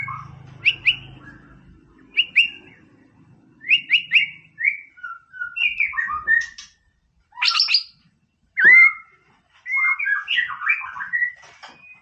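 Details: Energetic white-rumped shama song used to provoke a rival bird: short clear whistled phrases separated by brief silences, then sharp notes and a rapid warbled run at the end.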